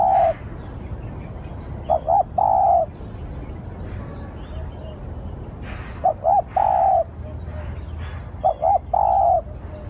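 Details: Spotted dove lure call: mellow cooing phrases, each two short quick coos followed by a longer drawn-out coo, repeated at uneven gaps of two to four seconds over quiet background hiss.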